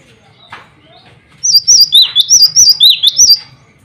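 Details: Male cinereous tit calling rivals and calling to females: after a quiet start, a lively run of about eight clear, high whistled two-note phrases, each dropping then rising slightly, repeated quickly for two seconds.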